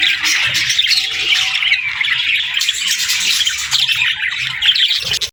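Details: Baby budgerigars exploring and talking together: constant high chattering, squawks and warbled chirps layered from several birds, loud throughout.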